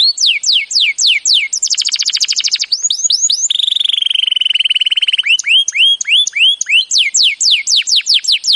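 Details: Canary training song: swooping slurred notes alternate with a fast metallic buzzing trill and a lower, steadily rolling trill. The drooping slurred notes then return at an even pace. A single loud songbird with nothing else audible.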